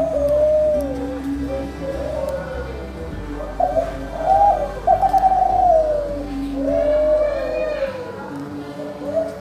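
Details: Competition-type spotted dove cooing in low, mellow, rolling phrases, several linked coos each couple of seconds, over a steady low hum and faint background chatter.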